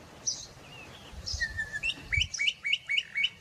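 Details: Bokmakierie calling in the Karoo: a few drawn-out whistles, then a quick series of short upswept whistled notes repeated about four times a second, over a low rumble.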